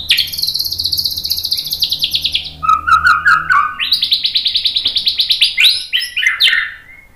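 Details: White-rumped shama lure song, used to provoke other shamas into singing: long, buzzy, rapidly pulsed trills held high, broken by a lower warbled phrase, then more loud sustained trills.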